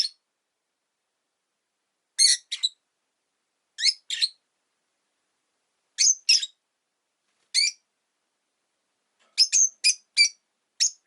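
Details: Rosy-faced lovebirds, one of five caged pet birds kept by a window, give sharp, high, bright chirps in short double and triple bursts separated by silent pauses, about fifteen notes in all, with no other sounds audible.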